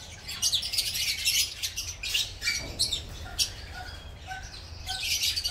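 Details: Dense chatter from a colony of green masked lovebirds busy with breeding and nest building: rapid, scratchy, overlapping high chirps with short sharp notes, plus faint wing flutters and background noise.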